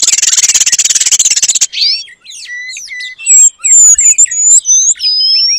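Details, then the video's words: Kacer, an oriental magpie-robin, in full song mimicking the paradise flycatcher for training other birds. A harsh buzzing rattle gives way to varied clear whistles, rising and falling slurs and high thin notes. "Kacer Gacor Materi Burung Surga Ekor Panjang"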